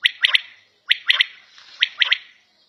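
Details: Three quick phrases from a quail kept at home, each a clipped opening note and two rapid follow-ups, bright and sharp, spaced under a second apart.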